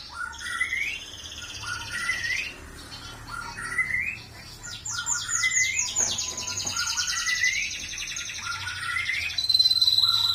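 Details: Caged canary in full loud song, with repeated rising swept whistles, fast rattling trills and long high buzzy rolls, over steady background hiss.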